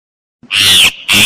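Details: Myna call used as a lure for trapping birds: two loud, harsh, rasping squawks, the first longer, split by a brief pause.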